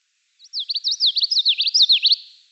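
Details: Common Yellowthroat, a warbler of the eastern United States, singing one quick phrase of high, sharply down-slurred whistled notes, grouped in repeated two- and three-note units over under two seconds, with a clean, quiet background.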